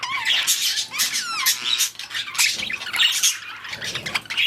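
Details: Budgies in breeding season, pairing and mating, giving a busy chatter of scratchy squawks, rapid clicks and wavering whistles that rise and fall throughout.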